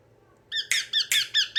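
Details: Yellow ringneck parrot, indoors in a small room, giving a quick series of loud, harsh, squeaky screeches, about five sharp notes in just over a second after a brief quiet start.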